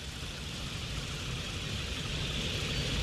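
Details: A steady vehicle rumble and broadband roar fill the recording, with no animal calls.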